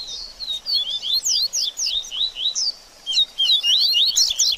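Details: Double-collared seedeater in baderninha style, used to stimulate a post-moult bird: lively high chirps in clustered bursts, a brief gap near the middle, then a faster, busier run of twittered notes.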